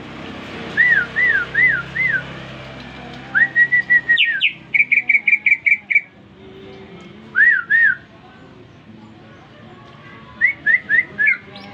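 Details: Recently bought caged greater green leafbird singing after whistling: looping wavy whistles, a rapid series of bright notes with sharp downstrokes, paired rising-falling whistles, and a final cluster of chirps.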